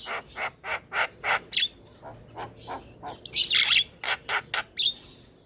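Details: Starlings singing in a therapy recording meant to set silent birds calling: a run of evenly spaced harsh rasping notes, then a burst of tangled high whistles and more rasps.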